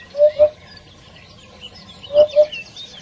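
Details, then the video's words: Hoopoe giving flock-gathering calls, two paired hollow hoots about two seconds apart, over a light background of thin, high bird chirping. "Tiếng kêu của chim đầu rìu gọi đàn"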